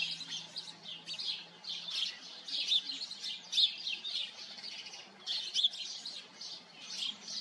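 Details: Colony of house sparrows chattering: dense, overlapping bright chirps rising and falling in bursts, with a faint low hum at the start.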